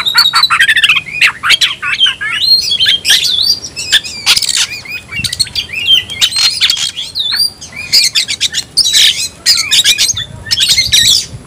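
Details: Oriental magpie-robin (kacer) shouting to call an opponent to fight: a dense, fast run of sharp whistles, rising and falling slurs and harsh buzzy notes in quick bursts, with short pauses between phrases.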